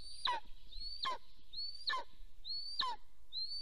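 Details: Golden eagle at a nest in Soomaa National Park, southwestern Estonia, on 1 April 2024 around 9:35 am, as the male comes home. A thin, high whistle that rises and then snaps downward, repeated about every 0.8 seconds, with a low background rumble.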